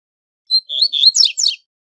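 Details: Double-collared seedeater song used for tutoring young birds: a fast, strong phrase of high whistled notes climbing into buzzy, trilled rapid elements, about one second long, clean with no other sounds.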